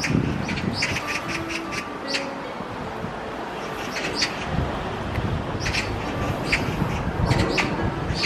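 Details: Oriental magpie in Galsan Park, Yangcheon, on a December winter morning, gives harsh, rasping chatters in short bursts every second or two over a steady low rumble of distant traffic.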